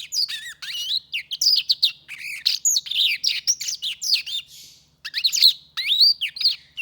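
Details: Hand-tame Black-throated canary singing a long bright medley of chirps and looping whistled notes, broken by a short pause before another burst of twittering with sweeping slurs.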